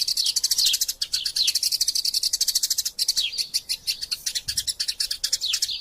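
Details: Eurasian tree sparrow (Passer montanus) fighting and chattering, used as a master recording for training magpie robins. Fast, continuous stream of high, clipped chirps, several per second, with a few longer downward-sliding notes mixed in.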